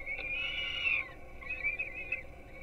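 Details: Young peregrine falcons at a webcam-watched nest in Gdynia, Poland, getting breakfast at 4:21 am on 5-11-16; a drawn-out, high wailing cry lasting about a second, then a shorter wavering wail, over a steady background hum.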